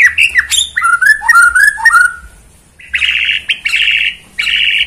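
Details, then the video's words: Borneo white-rumped shama singing in bowing posture to overpower a rival: bright clipped notes and liquid descending whistles, a short pause, then sustained buzzy, ringing trills in three bursts. "Bikin lawan MATI GAYA * Aksi Murai BORNEO gaya SUJUD"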